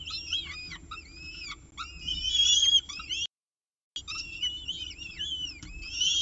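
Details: Peregrine falcon at its nest during the evening meal, Orange, 18 October 2018, 6:51 pm, via nest camera: shrill looping whistled calls, rising and falling, loudest midway, interrupted by a short silent gap.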